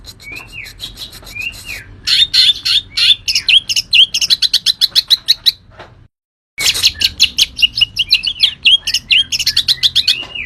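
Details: Green leafbird in vigorous song: two rising-falling whistles, then a long rapid chatter of high, sharp chirps and slurred notes, a brief silent break, and more fast varied chirping.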